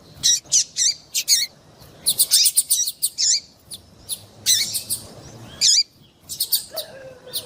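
Double-collared Seedeater female calls: a rapid series of high, thin chirps and short twittering notes in bursts, with a few brief pauses between them.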